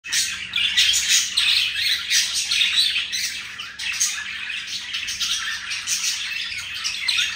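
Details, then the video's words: Two pet budgies showing affection for each other, giving a dense, continuous high warble of rapid chirps and scratchy notes with no pauses, loudness rising and falling gently throughout. "the budgie showing affection for each other"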